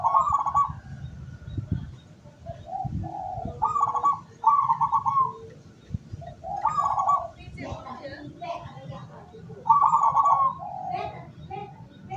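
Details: Zebra dove of local strain serving as a lure for wild doves, 17 August 2023: several trilled coo bursts separated by soft low notes, with clicks and brief chatter in the background.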